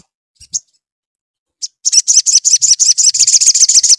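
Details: Lively sogon song meant to stimulate another sogon to answer: a few scattered sharp high chirps, then a fast even series of high, thin notes repeated about eight times a second.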